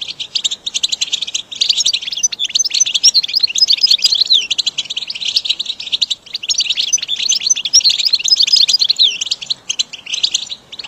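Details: Training song for caged goldfinches: a long, unbroken stream of fluid, high twittering with trills and twisting slurred notes, sustained at a steady level for about eleven seconds.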